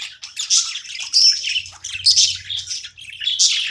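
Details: Chattering budgerigar during playtime, a steady run of raspy, squeaky warbles and clicks with several louder high squeals, plus a faint low hum in the background.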